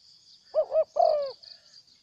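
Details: Spotted dove calling in Cambodia, a wild bird that came and then flew off: two quick clipped coos followed by one longer, slightly falling coo, with a faint high insect drone behind.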